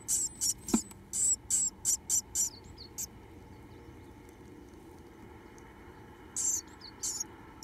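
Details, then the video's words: Two Japanese tit nestlings left in a nest box, opening their mouths and begging for food: a burst of very high, hissing shrill calls in rapid pulses, then a pause, then another brief burst. "残された2羽のヒナちゃん 元気に口を開けておねだり"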